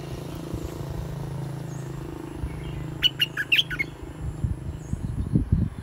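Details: Red-whiskered bulbul, a caged bird just moved into a new cage for the first time, sings one quick cluster of sharp, chirpy whistled notes lasting under a second, over steady low rumbling and some knocking sounds.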